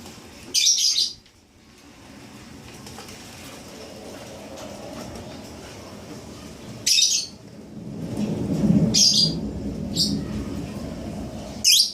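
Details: Seven-day-old lovebird chick giving short, harsh, high-pitched chirping bursts, one near the start and a cluster later, separated by quieter stretches with low rustling and handling noise.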